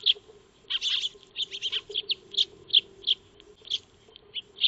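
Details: Backyard Eurasian tree sparrows, known as Maya birds, feeding on 2 March 2025 before a solar trail camera, give rapid overlapping chirps early, then evenly spaced single chips.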